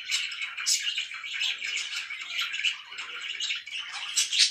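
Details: Morning chirping from pet budgerigars: a thick, continuous wash of rapid chattering and warbled squeaks with brighter high chirps scattered through, loudness rising and falling unevenly.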